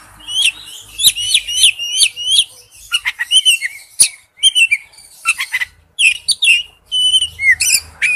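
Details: Male oriental magpie-robin calling to a female, repeating quick whistled chirp phrases in rhythmic succession, then varied slurs, chips and drawn whistles separated by short pauses.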